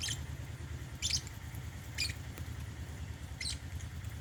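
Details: Caged African lovebirds feeding on holy basil give quick bright chirps about once a second, each a brief high burst, with a constant low hum behind them.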